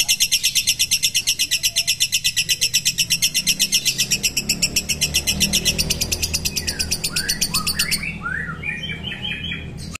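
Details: Long ngekek from a mentil lovebird: a loud, fast, even chattering trill lasting about eight seconds, then giving way to several short falling chirps, with steady low background noise.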